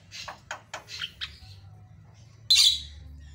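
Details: A very vocal white-eyed Javan myna gives five quick, harsh, scratchy notes in just over a second, then a pause and one loud, grating squawk; the song is offered as a training tutor.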